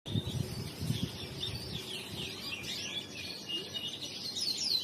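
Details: Male crested canary singing in riwikan style: rapid high sweeping notes and short trills run continuously, while a low rumbling noise fills the first two seconds.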